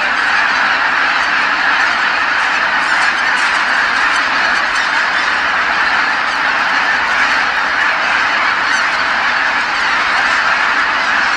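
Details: Evening return of tens of thousands of geese to Kabukuri-numa marsh once the sun sinks behind the hills, all calling together; long stretch of continuous, crowded honking that envelops the marsh.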